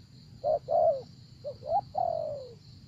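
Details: ['Spotted dove from a decoy trapping session in Vietnam: a short coo phrase of clipped notes ending in a long, slowly falling coo, with a steady high hum behind.']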